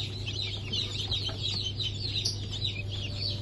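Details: A crowd of just-hatched Brahma and Wyandotte chicks, hatch of 04.08.2024, peeping nonstop: shrill, high, downward-sliding cheeps tumbling over one another several times a second over a steady low mechanical hum.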